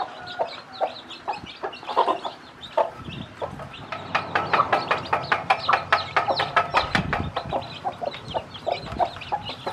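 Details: Hen and her many hatchlings at feeding, as she teaches them to eat: scattered chick peeps and clucks, then a rapid run of sharp tapping clicks, roughly several per second.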